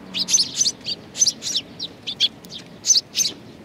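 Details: Several sparrows seeking food at Tenmangu shrine, Nakanoshima, 21 June 2020, trade bright, clipped chirps in uneven groups of two or three.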